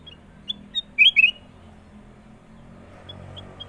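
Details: Sooty-headed bulbul song: a few short whistled notes, then a quick bubbly cluster of rising and falling chirps near the middle, with faint low background hum.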